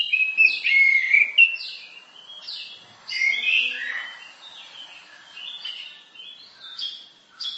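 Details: Masteran-style song from an orange-headed thrush: rapid strings of whistled and scratchy notes, loud bursts alternating with quieter twittering, delivered in a quick, uneven rhythm.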